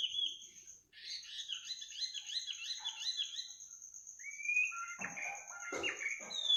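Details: Bird singing at midnight with a fast warbled jumble of notes followed by a clear rising whistle and sharp chirps, against a steady high-pitched insect trill.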